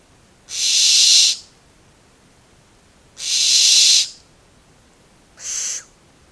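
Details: Begging barn owl chicks, four in a nest, 2 September 2019: three drawn-out snoring hisses, the first two nearly a second long and the last shorter, separated by gaps of about two seconds of near silence.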